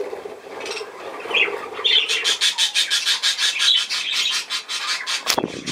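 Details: A budgerigar starts with soft warbling over a low hum, then breaks into fast buzzy chattering pulses about two per second, ending with a sharp rustle or wing flap.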